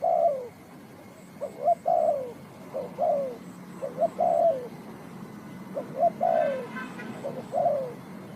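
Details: Spotted dove, a cu gáy from Ninh Thuận, calling in a bird-trapping setting: low cooing phrases of two short rising notes then a longer falling coo, repeated several times, with faint higher bird chirps near the end.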